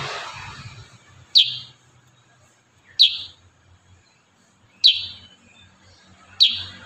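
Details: Kurincang singing in tight rapid-fire style for tutoring songbirds: four crisp, high chirps about every one and a half seconds, in an otherwise quiet background.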